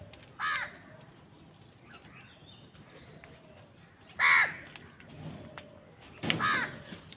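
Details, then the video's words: Crows on a winter morning give three harsh caws separated by long gaps, one faint and two loud and close, over steady outdoor noise. "Many Crows crowing sounds and noises on a winter morning"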